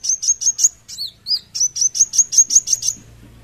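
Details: Van Hasselt's sunbird (kolibri wulung) singing vigorously (gacor): fast repeated sharp high notes, a pair of lower twisting whistles, then another quick even burst of piercing ticks.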